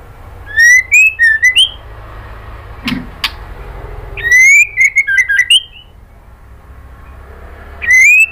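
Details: Female white-rumped shama giving kretekan calls to draw a male: bursts of short, upslurred whistles with harsh overtones, three clusters over about eight seconds separated by quiet pauses, with a low background hum.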